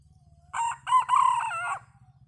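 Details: Wild red junglefowl crowing: one strident crow in three linked parts, a short opening note, a brief break, then a long held, slightly wavering ending, over a steady low hum.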